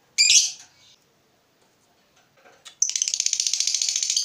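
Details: Provoked fighter lovebird shifting from ticking to 'ngekek': one harsh shrill note, faint clicks, then a rapid shrill rattling trill that starts and keeps going to the end.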